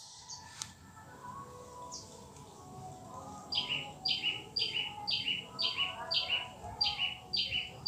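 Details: Cucak kinoi singing its natural song without mimicry, used to prompt other birds: a steady run of short, high, falling notes repeated about twice per second over a hissy, noisy background.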